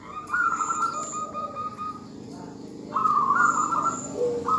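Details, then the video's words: Female zebra dove call aimed at a male: two bursts of quick, buzzy rolling coos separated by a quieter gap, ending in a lower soft note, over a noisy background with faint high whistles. "perkutut betina memanggil jantan suara PALING BERHASIL memancing perkutut jantan langsung MANGGUNG"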